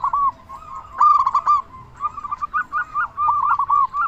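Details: Big-voiced local zebra dove singing as a lure for other doves: soft coos, then a loud rolling trill, followed by a bouncy series of arched notes rising and falling slightly.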